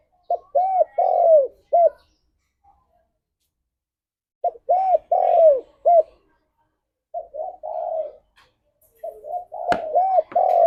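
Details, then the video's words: Spotted dove, apparently a local male, cooing in repeated phrases of three or four soft, hollow, arched notes with pauses of a couple of seconds between phrases; brief click near the end; morning call meant to stimulate breeding condition. "Tekukur Gacor Suara - Pancingan Pagi Paling Ampuh Naik Birahi"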